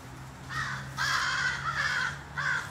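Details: A short run of hoarse caws from crows in mourning: one brief call, then a long drawn-out caw and a final clipped one, with a faint low hum.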